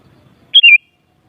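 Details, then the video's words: Sooty-headed bulbul phrase used to excite other bulbuls into singing back: one short bright whistled burst, a quick high note then a falling warble, lasting about a quarter second, with faint low rumble before it. "Suara Burung Kutilang Paling Ampuh Untuk Menaikan Emosip Jadikan Kutilang Gacor Nyaut"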